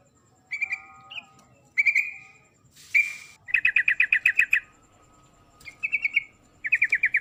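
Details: A female trucuk, or yellow-vented bulbul, calls to attract the male, giving short bubbly phrases and fast rattled series of about eight notes, spaced by pauses, with a brief rustle early on.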